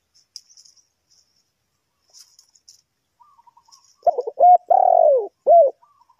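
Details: Spotted dove heard during bird trapping. Faint high chirping and soft distant notes come first, then a loud, close phrase of broken short coos, a long falling purring coo and a final short coo.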